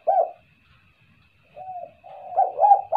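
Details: Spotted dove giving kuk-kuk coos as a lure: one sharp loud coo, a pause, then a soft drawn-out note rolling into a few throaty coos. A faint steady whine runs behind.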